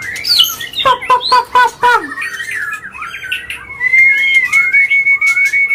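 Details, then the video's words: White-rumped shama singing in an agitated mood to rouse other birds: a rapid stuttering series of sharp downward notes, then wavering warbles and a long steady whistle near the end. "Pancingan Murai Batu Emosi, Gacor Nonstop 24 Jam❗❗ AUTO Buka Paruh Langsung Ngamuk"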